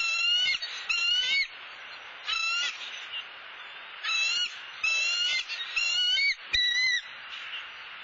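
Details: Wild bald eagle at its nest in Southwest Florida, with the male returning with grasses and sticks. Irregular bursts of shrill, wavering whistled notes, some closely doubled, with a brief sharp click and steady hiss.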